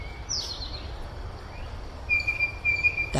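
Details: Blue Jay heard on a spring hike in southwestern Ontario gives its squeaky, pulley-like call: a thin high whistle that falls early, then a brighter, wavering whistled phrase, all over a steady outdoor rumble.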